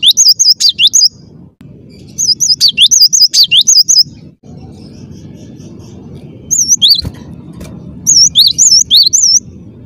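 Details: Cinereous tit, or gelatik batu, singing persistently and clearly: rapid runs of high, wavy whistled phrases, each a quick rising-and-falling twist repeated several times, in three bursts with pauses between, over low background hum.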